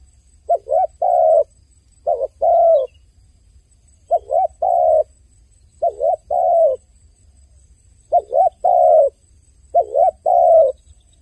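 A dove coos in low, hollow phrases of two short notes and a longer drawn coo, repeated every two seconds or so, with a faint low rumble behind.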